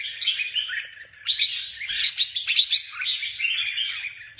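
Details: Cage-kept Red-whiskered Bulbul, trained for song competitions, sings lively slurred whistles and bright chirps in quick succession, with louder accented notes in the middle of the phrase.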